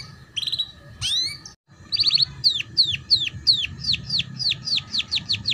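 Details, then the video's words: Tutor song of a canary for young birds learning ngeriwik: a brief trill and an upward sweep, a short gap, then a long series of descending whistled slurs, quickening toward the end. "Suara PANCINGAN KENARI PAUD Belajar BUNYI Ngeriwik || MASTERAN Kenari Paud"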